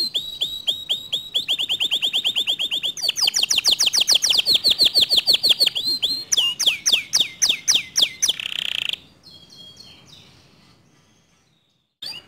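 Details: Canary song said to goad other canaries into singing: long runs of rapid trilled syllables shifting through several tour patterns, ending in a buzzy roll, followed by near silence.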